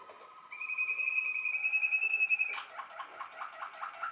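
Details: Waterslager (Malinois) canary, a Belgian song breed kept for its water-like, bubbling voice, sings one long clear whistled note for about two seconds, then breaks into rapid rolling, bubbling notes in a small indoor space.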